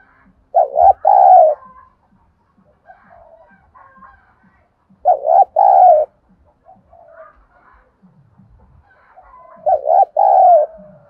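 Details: Spotted dove, a trained decoy bird, cooing in soft, hollow phrases of a quick double coo and a drawn-out note, repeated about every four and a half seconds, with faint clicks between.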